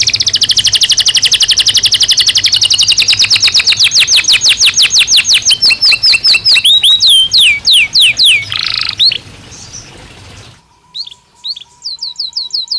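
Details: Belgian canary with a long, fast trill of repeated notes that slows into broad falling sweeps and ends on a lower buzzy note, followed after a pause by soft, distant quick chirps.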